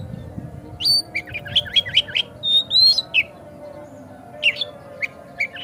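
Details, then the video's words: Oriental magpie-robin (kacer) song played as a lure to stir another kacer into persistent singing and tail-opening: bursts of sharp whistled, slurred notes, some rising and falling, in quick runs with short gaps, over a steady low hum. "Pancingan Kacer Agar Cepat Gacor Ngotot Buka Ekor"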